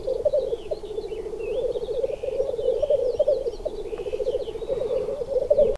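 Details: Black grouse males in display, giving a continuous low bubbling, rapidly pulsed cooing that runs unbroken throughout, with thin whistled and chirping notes from other birds higher above.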